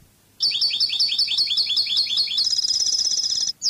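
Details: European goldfinch singing in the Cádiz song style of Spain: a run of about eleven quick, evenly repeated chirped notes, then a dense, buzzy high trill, ending with a sharp note after a brief gap.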